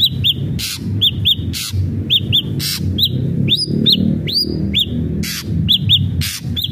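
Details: Lure song of an ashy drongo for prompting a captive bird to sing, with short arched whistled notes in small groups, two sweeping rising whistles midway, and loud clicking bursts against constant low background rumble.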